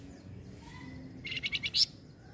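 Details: Sunda bush warbler answering a noisy sound with a short series of five high chirped notes growing louder toward the last, over a low hum and faint background tones.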